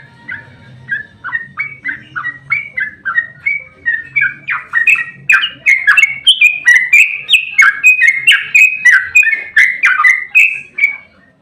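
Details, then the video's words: Long 'ropel' fighting song of a yellow-vented bulbul, meant to provoke other bulbuls into singing: a steady stream of quick chirpy, bubbling notes that builds louder halfway, with a faint low hum underneath at the start. "Trucukan GACOR ROPEL TERPANJANG buat pancingan trucuk agar cepat bunyi"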